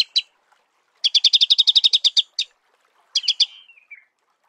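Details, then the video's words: In natural habitat, a Marico sunbird delivers a quick dry chattering trill of evenly spaced sharp notes lasting about a second and a half, followed by a short burst that trails into a thin descending twitter. "Marico Sunbird"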